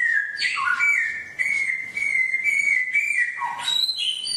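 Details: Songbird song played daily for caged birds to learn: one long, steady whistled note held for about three seconds with slight wavering, then a quick dip and bright ascending whistles.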